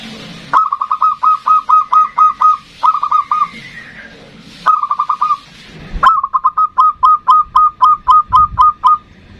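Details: Zebra dove of local stock singing the 'ndudut' variation, meant to draw in and provoke a rival: four phrases of fast, bright, hooked notes, the last and longest holding about twelve notes.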